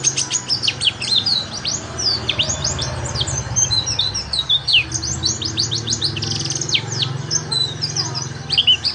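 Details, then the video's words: Oriental white-eye song recorded in Indonesia as a tutor for training other birds: dense streams of high, thin, rapid twittering notes with quick rising and falling sweeps, continuous throughout, over a low steady hum. "PEMANCING PLECI BAHAN UNTUK BELAJAR NGALAS"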